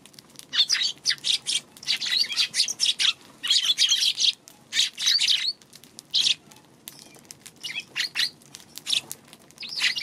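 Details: Busy chirping from a Eurasian tree sparrow recorded March 2, clusters of high, scratchy tweets in uneven bursts over ten seconds, with short gaps between groups.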